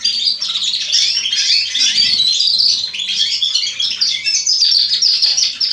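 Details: Atlantic canaries and domestic canaries, young birds from spring 2020, singing together in Remscheid; dense, continuous high twittering and warbled trills overlap throughout, with a faint low hum beneath.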